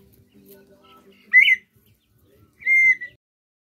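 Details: Red-winged tinamou giving two loud whistled notes about 1.3 seconds apart, the first short and buzzy with a slight rise, the second a longer steady whistle, over faint low background murmur.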